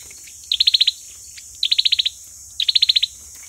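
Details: Fighting song of an olive-backed sunbird, used to lure: three crisp, fast high trills of about seven piercing notes, about one second apart, over faint low hum.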